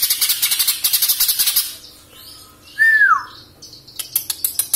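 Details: A caged young cucak ijo, the greater green leafbird, from Samarinda, fresh out of juvenile spotted plumage and awaiting moult: a bright downward-sliding whistle. Rattling chatter comes before it and sharp clicks come after.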